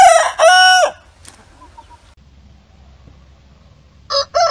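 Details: Rooster crow in fragments: a short, clipped burst, then a strained note that swells and cuts off. Near silence with faint low hum follows, and two short, harsh syllables open a new crow at the end.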